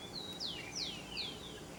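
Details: Feeding wild saffron toucanet taking banana; clear piercing downslurred squeaks, three in under two seconds, each dropping sharply in pitch, over low background hiss.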